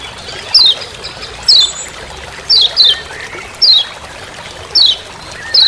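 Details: Kecial kuning Lombok, the Lemon-bellied white-eye, calling 'ciak ciak' in the forest as master sound; bright downslurred high chirps, single or doubled, about once a second over a constant hissing background.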